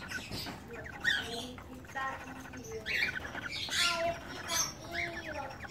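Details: Captive pair of cockatiels at a breeding farm in Medan during their first mating: warbling, harmonic chirps and squawks in short irregular bursts, some rising and falling, over a soft steady background hiss.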